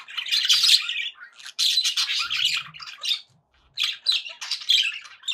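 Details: Budgerigars kept as pets, chattering happily: harsh, buzzy squawk-laden warbling in three loud bursts with short silences between, high-pitched and continuous within each burst.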